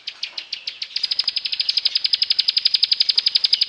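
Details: Bar-winged prinia song variety meant to coax mute or stalled birds to sing: a fast, even rattle of sharp high notes, speeding up after a slower start to about eight notes a second.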